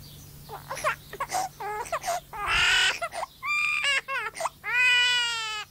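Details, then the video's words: A talking myna, kept constantly with a little baby boy, imitates a crying human baby: a run of short, wavering wails and sobs ending in a long drawn-out cry, over a faint low hum. "Talking Myna Bird"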